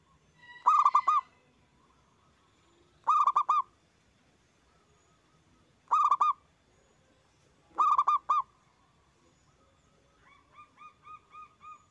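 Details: Zebra dove (local perkutut), a loud lure song meant to get other doves singing: four bursts of four rapid, resonant coo notes every two to three seconds, then a softer, faster series of repeated notes at the end.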